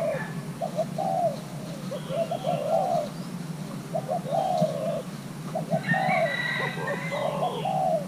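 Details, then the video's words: Young male spotted dove of Thai hybrid stock, encouraged to call during pairing, repeats low gurgling coo phrases in an even rhythm. Chirping birds join near the end. "Kích xem nước chơi của gáy thái lai trống tơ đang ghép đôi"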